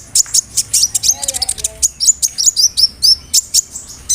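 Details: Loud sunbird (kolibri ninja) song played to make another bird sing, containing mimicked cricket, cililin and sparrow sounds: fast high chirps, a brief lower warble, then a string of downslurred whistled notes.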